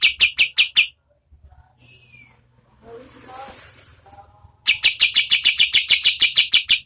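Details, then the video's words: Oriental white-eye (kapas tembak) repeating sharp high chirps at a medium tempo, then a gap with a soft downslurred whistle and faint background sounds, before a long rapid chirping series resumes; tutor audio for competition birds. "KAPAS TEMBAK GACOR SPEED SEDANG Bagus sekali buat MASTERAN BURUNG LOMBA"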